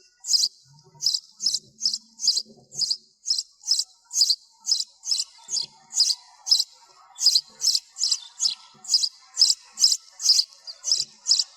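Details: Sparrow giving a long, fast series of high, piercing chirps, about two to three each second, fairly even throughout, recorded with background noise removed and a few faint low knocks.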